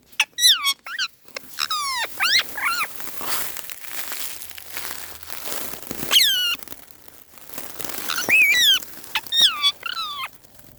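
A parrot gives bursts of harmonic, descending squawky notes like mimicked laughter, in clusters of two to four, with rustling and crinkling noise between.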